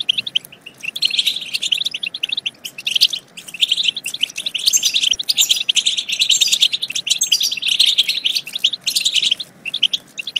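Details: European goldfinch song played to stimulate goldfinches to sing and mate: dense, continuous high twittering and tinkling chatter with brief pauses, several voices overlapping throughout.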